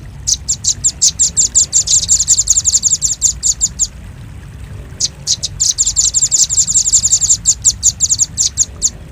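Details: Velvet-fronted nuthatch, recorded as a lure for birds. Two bursts of fast, piercing high chip notes accelerate into a dense rattle, separated by about a second of quiet.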